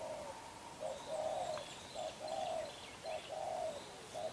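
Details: Black-eyed young spotted dove giving a forceful cooing display: clear low coo notes in a short-long, short-long pattern, loud and close, with faint distant chirping.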